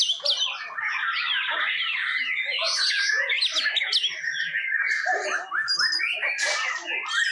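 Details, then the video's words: A white-rumped shama at a songbird contest in Tasikmalaya pours out a loud, rich, nonstop song of varied whistles, trills and harsh mimicked notes, with other birds and faint crowd voices behind. "VOLUME DAHSYAT !! BARONGSAI Murai"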